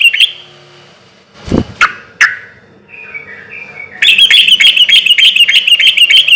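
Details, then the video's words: Sooty-headed bulbul, a loud persistent singer in relaxed rhythm, used as a lure for other bulbuls: a short chirp, a thump and two sharp notes, a soft warbled phrase, then a fast sustained high twittering trill. "trucukan gacor suara keras irama santai sampai teler mantab buat pancingan trucuk agar cepat nyaut"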